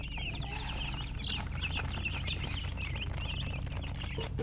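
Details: Chicks chirping together, dense overlapping thin high peeps repeated rapidly throughout, with constant low-pitched background hum underneath.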